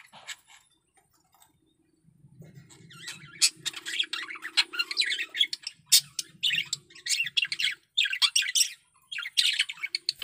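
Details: Male budgerigar in heavy breeding condition: after a quiet start, a rapid chattering warble of buzzy chirps and squeaks builds and continues in dense bursts, with a faint low hum.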